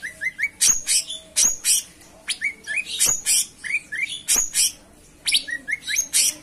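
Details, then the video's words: Cucak cungkok singing: rapid series of short rising whistled notes, three in a row, alternating with sharp high chirps and brief pauses. "Gacoran Burung Cucak Cungkok Istimewa"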